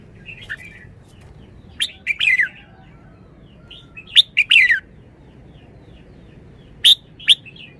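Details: Red-whiskered bulbul song: short, bright phrases of sharp notes, each ending in a falling warble, arrive every few seconds. Brief single chips come in between, against a quiet background.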